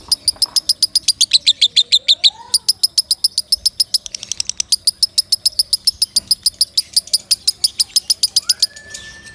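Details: Lovebird's loud training song for other birds: a long, steady stream of piercing chirps, about three or four per second, with a brief pause and faint swooping whistles from other birds behind.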